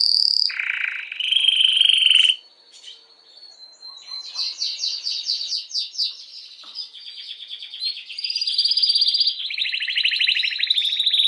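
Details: Singing canary, its song meant to excite females for breeding: loud high whistled notes, then a soft stretch of rapid pulsed rolls, ending in strong fast buzzy trills at varied pitches.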